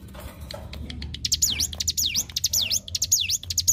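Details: Hill prinia (ciblek gunung) song as training material for songbirds: soft ticks first, then bright high notes dropping and rising sharply, about five swoops with clicks.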